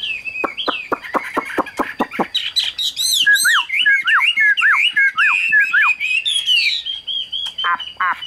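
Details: Caged Chinese hwamei (Garrulax canorus) singing loudly: a run of sharp, rapid clicks, then a rich, varied stream of rising and falling whistled phrases; the weather in northern Vietnam is said to be hot, so it tires sooner.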